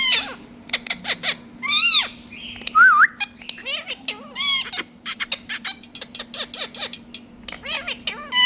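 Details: Several parrots calling in a lively run of harmonic squawks, rising and falling whistled notes and short sharp chirps, roughly one call a second, with a steady low hum underneath.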